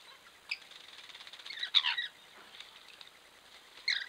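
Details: Camera-trap recording of local Rainbow lorikeets splashing in water, with a cluster of rasping calls mixed with wet flutters and splashes, then a brief squawk at the end.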